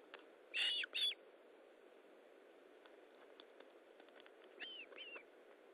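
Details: Osprey at the nest during feeding, 19 July 2012 at 9:43: two loud, clear whistles in close succession, a long pause with faint ticks, then two softer curved whistles.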